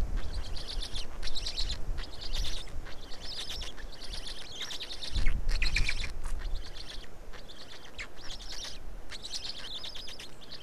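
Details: Black stork nest in Estonia, feeding on 19 May 2019 in mid-afternoon; a busy, irregular stream of rasping, wheezing bursts runs throughout, with a louder low thump near the middle.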